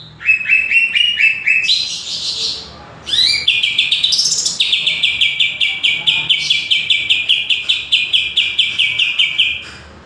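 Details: Greater green leafbird, kept for songbird contests, singing loudly: rapid rhythmic series of sharp chirped notes, a rising sweep, then a long run of evenly repeated strong bright notes about five per second, with a quiet low background.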